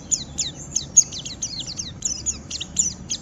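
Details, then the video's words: White-eye giving rough ngeriwik song to provoke other white-eyes into singing: rapid high, thin downslurred notes repeated in quick succession, with a low hum underneath. "Pleci Ngeriwik Merangsang Lawan, Ampuh memancing Pleci omyokan Ikut Bunyi dan Gacor"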